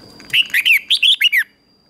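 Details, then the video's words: Red-whiskered bulbul singing a competition phrase for training birds, a quick string of about seven clear, swooping whistled notes, rising then falling, lasting about a second. "Chào mào hót đấu"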